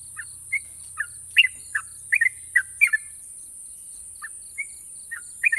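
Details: Sooty-headed bulbul, a national champion songbird, giving long sharp trills: short bright chirped notes, some doubled, spaced irregularly, with a steady high hiss behind and a low hum early on.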